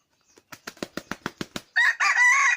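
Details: Yellow-and-white wild junglefowl rooster kept as a hunting decoy: a run of seven sharp wing-flapping beats, then a loud, harsh, hoarse crow begins and breaks into a longer drawn-out second part.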